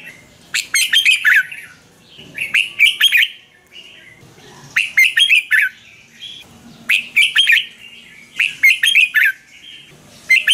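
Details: Caged Red-whiskered bulbul singing to excite or train birds: repeated short phrases of quick, liquid whistled notes, about five bursts, each chirpy and warbling, with short gaps between them.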